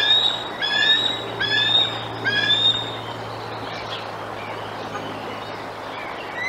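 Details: Adult bald eagle at the Decorah nest, Iowa, on 7 July 2022, giving warning vocals over its fish at a young juvenile eagle perched nearby; a few high, thin piping phrases in the first three seconds, then quieter background.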